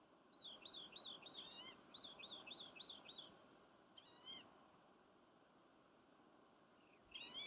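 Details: Green-tailed towhee, one of several in a draw past gate 5 on Steens Mountain Loop, gives a quick run of high, arched chipping notes, then drawn-out catlike mews over low hiss; a rock wren may sound in the background.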